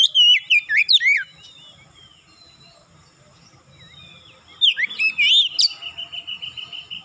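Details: Oriental magpie-robin singing vigorously after one lure sound: rapid, loud whistled phrases with sweeping up-and-down notes, a quiet pause, another burst, then a long steady whistled tone.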